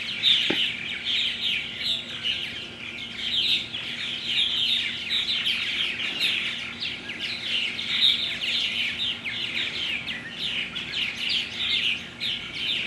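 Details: Many purple martins, recorded 17 June 2009, chatter continuously in overlapping rapid chirps and creaky warbles with no pause. A low steady hum runs throughout, and there is one brief knock near the start.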